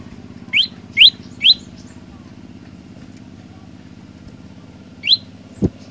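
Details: Olive-backed tailorbird chirping: three rising notes in quick succession, a long gap, then another note, with a steady background rumble and a brief knock near the end.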